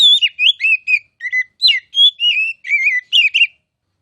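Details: Oriental magpie-robin tutor song meant for future champion kacer: clear whistled phrases with falling and wavering notes, ending abruptly in silence after about three and a half seconds.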